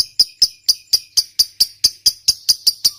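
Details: Lovebird fighter in a long ngekek trill used to provoke other lovebirds and prompt silent ones to reply; a run of about thirteen piercing, evenly spaced chirps, each a sharp high kek.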